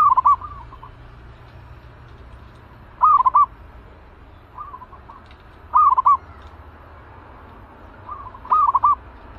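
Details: Caged zebra dove prepared as a lure for trapping; a series of five brisk, warbling coo phrases spaced around two seconds apart, with faint background hum.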